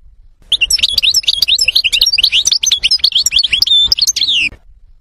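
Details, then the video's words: European goldfinch singing a varied, fast twittering song of bright, high chirps and quick up-and-down notes, packed densely for about four seconds with no pauses, then falling silent. "تغريد طائر الحسون متنوع ورائع قديم"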